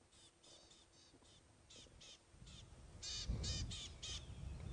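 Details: Rattling cisticola (Cisticola chiniana) scolding in harsh, dry rattling bursts, about two per second, growing louder, over low engine rumble; alarm call at a leopard walking on its termite mound, on a morning safari drive.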